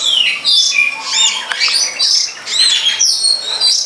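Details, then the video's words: Long-tailed shrike in the wild delivering a rapid, harsh medley of high squeaky notes and short upslurred whistles in rolling bursts. "Pesona Burung Cendet di alam"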